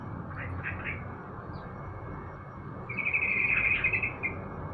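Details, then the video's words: Caged yellow-vented bulbul (trucuk) set out for morning sunning: a few short chirpy notes, then a bright, rapid, buzzy trill lasting about a second, over a steady low rumbling background. "penjemuran burung di pagi hari trucuk"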